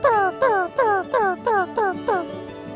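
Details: A Northern Cardinal in a park in Round Rock, Texas, gives its call: seven clear downslurred notes, evenly repeated about three times a second, each sliding from higher to lower pitch with a slightly tinny ring.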